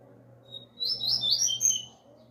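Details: Young Double-collared Seedeater (coleiro) coming out of moult, singing a short burst of high, fast twittering notes lasting about a second over a steady low hum.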